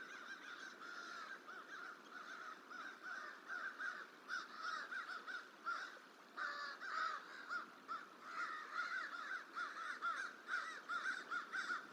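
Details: Crow protesting a juvenile bald eagle feeding in a tree at the Decorah hatchery, January, intent on running it off; long run of coarse, grating caws in uneven bursts, distant and partly overlapping, with constant hiss.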